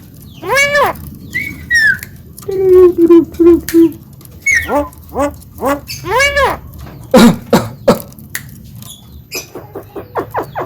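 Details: Talkative Javan myna kept as a contest hopeful and able to mimic speech: a varied mix of arched harmonic squawks, short whistles and clicks, with loose rhythm and brief pauses between phrases.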